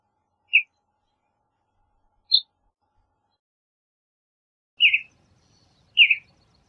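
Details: Western bluebird giving short soft chirps, four notes spaced irregularly over several seconds, the last two slightly longer and buzzier, with a quiet background.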